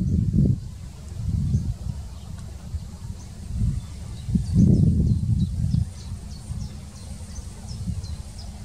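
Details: A Little Bittern at Putten, Netherlands, on 25 June 2021 gives deep, muffled barking croaks about once a second, with faint high ticking insects behind.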